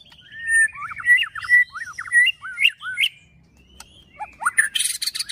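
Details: Caged murai batu, or white-rumped shama, singing fighting-style: a long gliding whistle opens into a string of looping, downslurred whistled notes, then a short pause and a rough rasping burst.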